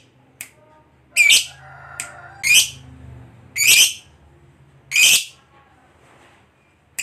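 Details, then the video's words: Lovebird, a fighter-type bird, giving loud harsh shrieking notes in spaced bursts about every second, sharp and high, with quieter low hum between calls. "Suara Burung Lovebird Ngekek Panjang, PANDAI Pancing EMOSI, LABET Yang Dengar TERBUKTI Cepat BUNYI"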